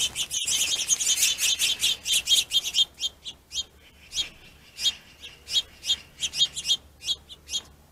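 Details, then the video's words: Finches squabbling over a plentiful food source: a rapid burst of high, sharp chirps and tweets, dense for the first three seconds, then loose repeated chirps in small clusters, about 87 per minute. "Pissy Finches"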